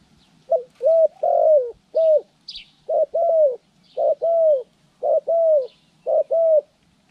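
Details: Spotted dove used in pikat bird-trapping training, recorded January 14, 2020: repeated two-part cooing, a short note then a longer, slightly falling coo, about once per second, with faint chirps of other birds above.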